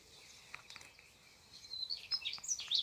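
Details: Birds in a morning garden: thin high chirps and short twittering notes, sparse at first then growing busier and louder toward the end, with faint background hiss.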